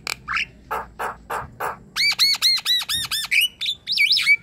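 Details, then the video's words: Javan myna song as a prompt for a silent myna: several coarse rasping notes, then a quick series of arched chattering calls and a closing twisting whistled phrase. "Ocehan jalak kebo gacor | Jalak kebo yang diam dan lelet bunyi coba putarkan suara ini"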